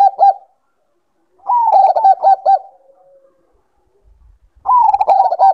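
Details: Zebra dove of the Bangkok type, heard as a stimulus for breeding condition. Three phrases of fast, pulsing, slightly descending coos are separated by pauses, and a faint drawn-out low note follows the middle phrase.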